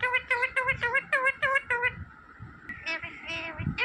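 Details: Green parrot imitating human speech: about seven short, nasal, evenly spaced syllables, then a steady drawn-out tone with softer chatter, while people murmur nearby.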